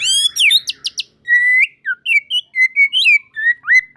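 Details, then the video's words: White-rumped shama song with other shamas joining; bright chirps and high rapid notes give way to drawn-out whistles and a series of short rising and falling warbles. "Tanpa Nunggu Lama Burung Murai Batu Lain Langsung Ikut Nyambar Gacor || Voice of Murai Batu"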